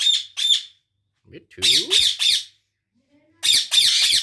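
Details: A rose-ringed (Indian ringneck) parakeet, kept as a talking pet, gives harsh, high, rasping screeches in quick bursts of two or three, with a brief lower, voice-like sound in between.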